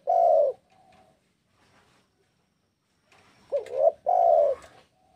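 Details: Spotted dove, locally tekukur, in breeding condition and calling a rival; two strong low coos open and close the stretch, a quieter coo and faint noises between, the final phrase a wavering coo then a long steady one.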